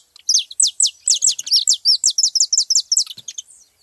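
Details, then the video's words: Saffron finches gathered at a feeding spot: a fast run of sharp, high, downward-slurred notes, about three per second, then looser chips near the end. Faint other chirps in the background. "festa dos canário da terra na seva"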